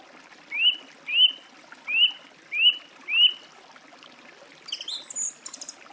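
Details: Song thrush singing: a clear, rising whistled note repeated five times at roughly half-second intervals, then a brief higher, scratchy chattering phrase to finish.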